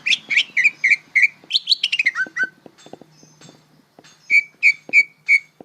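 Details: Practice song of a young greater green leafbird: a fast string of looping whistles slides downward, breaks off into faint clicks, then resumes with four evenly spaced, clear whistled notes.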